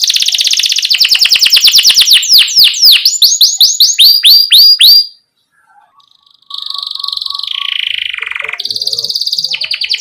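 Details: Lively canary song with rolling phrases and pauses, played to encourage young canaries to sing. It opens with a dense high trill that turns into rapid downward-sweeping whistles, breaks off into a short silence, then resumes with steady buzzy trills.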